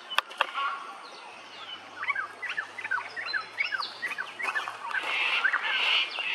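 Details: Lewin's honeyeater at Hervey Bay, Queensland, giving a rapid series of short, sharp chattering notes, many per second, rising in intensity toward the end against faint background noise.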